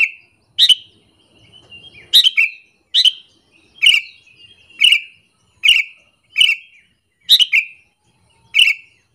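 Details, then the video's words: Sooty-headed bulbul repeating its call to lure rival bulbuls into anger, about eleven sharp descending chirps, some in quick pairs, after a short pause near the start. "AMPUH BANGET suara panggilan burung kutilang alasan untuk pikat"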